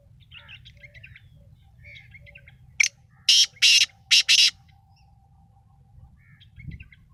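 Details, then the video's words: Small birds twitter softly, then a black francolin (Sindhi kala titar) bursts in with a sharp opening note and four harsh, scratchy blasts in quick succession before the faint chirping resumes. "kala sindhi titar ka masti wallah boli"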